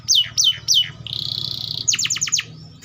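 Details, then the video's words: Atlantic canary: three descending whistled sweeps, a sustained buzzy trill, then five quick falling notes, with a low hum underneath. "THE SOUND OF THE CANARIA SERINUS"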